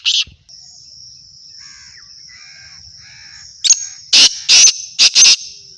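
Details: Black francolin, kala teetar, home-bred, gives a loud scratchy rhythmic call of four to five rasping bursts, with a thin steady high-pitched whine in the background throughout.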